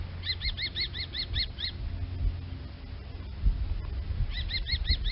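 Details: Common kestrel calling with a run of about eight shrill, ringing notes. A pause of over two seconds follows, then another burst of five similar notes comes, all over steady low rumbling background noise.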